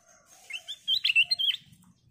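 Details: Brief warbling phrase from a kutilang emas bulbul, a gacor bird kept to prompt others into song: several quick slurred whistles rising and falling over about a second, with faint low background noise.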